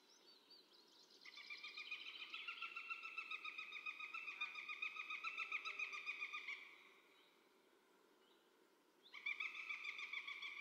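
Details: Female Northern goshawk at a forest feeding station in 2019, giving its typical cackling call: a fast, harsh, regular series of nasal 'kek' notes, about three or four a second, for five seconds, then a pause before another burst.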